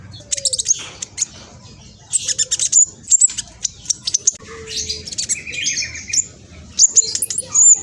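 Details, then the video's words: Loud, fast-singing black sunbird: spaced bursts of very high, scratchy twitters and sharp whistled pips, a few low faint notes underneath. "Kolibri blacksunbird trotol speed cepat semua burung akan ikutan nyaut respon"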